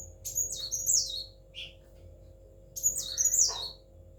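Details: Tailless pet sunbird giving two bursts of shrill, tumbling high twitters, each about a second long, separated by a short isolated chirp and a quiet gap, over a constant faint electrical hum.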